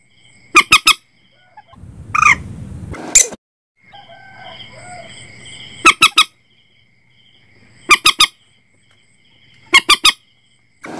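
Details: Common Moorhen calls for night netting: crisp three-note bursts every two seconds, plus a harsh, rising squawk over a noisy rumble near the start and faint background murmur.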